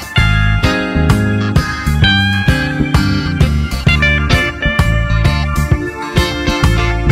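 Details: Guitar-led rock music with steady plucked and slide notes and a regular beat, no animal voice heard.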